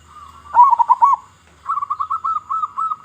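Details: Big-voiced local Indonesian zebra dove song, meant to lure zebra doves: one loud warbling burst, then a regular chain of softer, rapid cooing notes.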